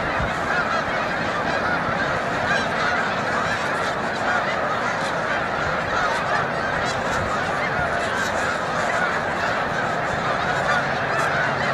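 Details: Massed snow geese migrating through Montezuma, New York, 7 March 2022, the flock lifting off repeatedly: a steady, thick wall of high, yelping honks from a huge number of birds, no pauses, filling every second.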